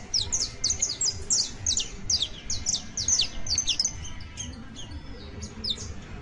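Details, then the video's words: A young saffron finch sings a fast chain of high, downslurred chirps for about four seconds, then slows to scattered softer notes; low hum in the background. "CANTO: CANARIO BASTO [SICALIS FLAVEOLA JUVENIL]"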